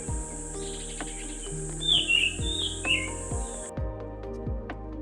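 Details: Orange-headed thrush; mimicked call; mimicking the call of the Indian pitta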